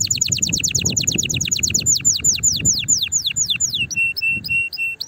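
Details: Excited domestic canary singing to stimulate other canaries to sing: a fast run of descending whistled notes that slows and lengthens, then ends in a short, repeated chipping phrase.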